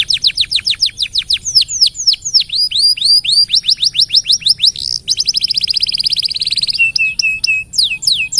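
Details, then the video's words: Canary in continuous, lively song, suited as a tutor recording for other birds: rapid series of high downslurred notes, then a fast rattling roll around the fifth second, ending in repeated short swooping notes. "KENARI SUPER GACOR DURASI NGEDUR PANJANG....COCOK BUAT MASTERAN SEMUA BURUNG"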